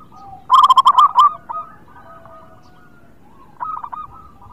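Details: Zebra dove of a local strain, kept as a songbird, singing actively: a burst of rapid bright coos, then soft fading trailing notes, a quiet gap, and a brief softer phrase of coos near the end.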